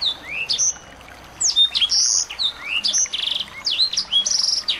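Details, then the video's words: Small birds recorded to make a white-rumped shama sing; scattered high chirps and slurred whistles, a short pause, then livelier twittering with buzzy trilled notes. "masteran burung kecil agar murai batu gacor"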